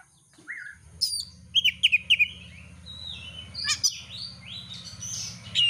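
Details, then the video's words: Oriental magpie-robin singing strongly as bait to trigger competition birds: a short whistle, then high sweeping notes and a rapid run of sharp clipped chips, followed by varied whistled phrases over a steady low mechanical hum. "pancingan kacer gacor langsung on"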